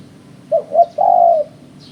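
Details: Spotted dove calling, as used by trappers to lure birds: a quick pair of short, mellow hoots leading into a drawn-out level coo that trails off, with a soft distant chirp and low hum.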